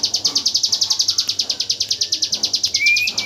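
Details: Rapid-fire 'tembakan AK47' song of a hill prinia, used as training audio for white-rumped shamas: a steady volley of high, sharp notes, roughly eight each second, ending under a thin rising whistle.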